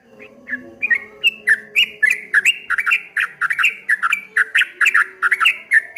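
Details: Trucuk kebo, the streak-eared bulbul, delivering its ropel ngombak banyu song: a dense, rapid stream of bright slurred chirps, some squawky, rolling on without pause over a faint constant low drone.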